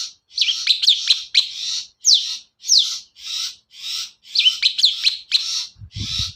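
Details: A long-tailed shrike sings to prompt others: repeated raspy, hissing bursts mixed with quick falling whistles, in steady phrases about half a second long.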